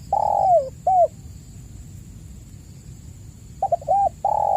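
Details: Mellow spotted dove coos from a lure track for prompting caged doves: a long falling coo and a short one end a phrase, then after a pause quick stammered notes and another long coo begin the next, with a steady electronic whine.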